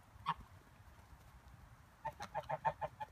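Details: Six farm Toulouse geese, coming in for the night, give a short burst of nasal honks, one note early then about seven rapid evenly spaced honks near the end, with low background noise.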